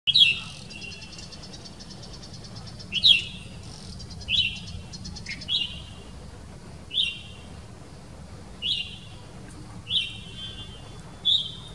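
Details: A Taiga flycatcher male in spring moult, changing from female-type to breeding plumage, in India gives short, high, dry call notes, some with a brief rattle, repeated every one to two seconds over a low background rumble.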